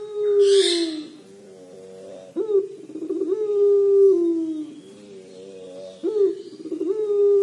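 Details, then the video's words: Three long 'crying' coos of a puter pelung collared dove, each opening with a sudden upward jump, then drawn out and slowly sinking, spaced about two seconds apart. "Suara Burung Puter Pelung Menangis"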